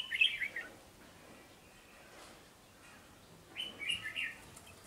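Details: Wild-caught red-whiskered bulbul, described as an eager singer with a quick, fast-paced song: two short bright warbled phrases, one at the start and one after about three quiet seconds, high and clear over a faint background; a man speaks afterwards.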